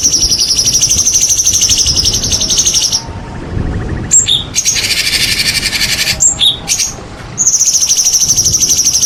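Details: White-rumped shama song used as a lure for silent birds: long, very high buzzing trills sustained for seconds, interrupted by short sharp whistled accents.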